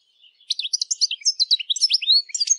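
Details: European goldfinch song for teaching captive birds: a fast, tumbling series of high, liquid chirps and twittered notes rising and falling in pitch.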